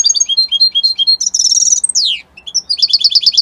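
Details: Italian goldfinch singing evenly spaced sweet chirps, then a dense buzzing trill, a long downward-sweeping note, a brief pause and a fresh series of rapid bright notes.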